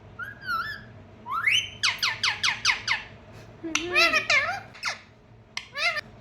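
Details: A parrot producing a clean run of sounds indoors: a rising whistle, then a fast series of sharp descending chirps, followed by warbled squeaky notes and a final short burst.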